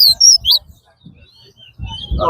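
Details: Chestnut-bellied seed finch at a bird singing competition at Lamaha Ground, with songs counted aloud: a quick burst of high, clear whistled notes that rise and fall, with low thumps and people talking.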